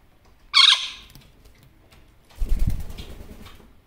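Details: One-year-old male Barraband parakeet kept as a pet, talking to himself at his mirror; one loud raspy squawk, then after a pause a soft rustling flutter of wings and feathers.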